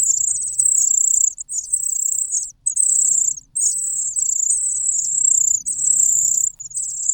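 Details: A hungry cuckoo nestling cries loudly beside well-fed host chicks: loud, almost continuous shrill, buzzy, slightly wavering calls in long runs, broken by brief pauses.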